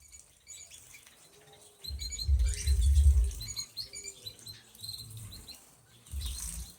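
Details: Several canaries in a flight aviary give high, bright chirps and twittering trills that overlap in a busy chorus. A heavy low rumble and patter swells and fades underneath them.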